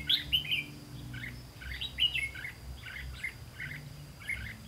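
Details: Red-whiskered bulbul during trapping on 18 September 2016, giving loud slurred whistles at the start then a run of softer repeated chirps, evenly spaced, over a low hum.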